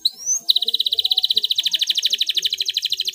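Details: Singing canary in a clear rolling song meant to stimulate silent canaries to sing: a rising whistle, then a long fast trill of rapid repeated notes, about three per second-fraction, steady and bright.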